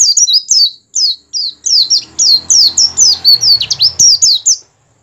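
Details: Oriental white-eye song used to stimulate other white-eyes to open their beaks and sing: rapid high whistled and twittering phrases, slurred up and down, in quick bursts over about four and a half seconds.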